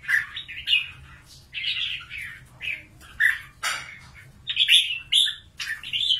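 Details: Trapped wild red-whiskered bulbul used for fighting, Cao Bang, Vietnam; a steady string of short, loud, liquid whistled and warbled phrases, roughly forty a minute, each brief and emphatic with small gaps between.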